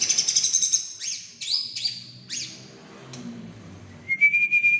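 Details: A White-rumped shama in Indonesia, a promising bird for competition, sings rich, high, varied phrases: a rapid chattering trill, sweeping whistled notes, then a clear rising whistle.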